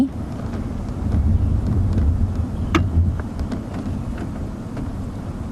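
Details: Loud low vehicle rumble with wind buffeting and a few sharp clicks during an evening drive, with no animal calls.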